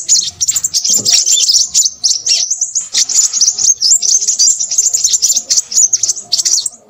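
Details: Lively crimson sunbird song: shrill, sizzling twitters strung into a long, hurried run, densest in the middle and trailing off at the end.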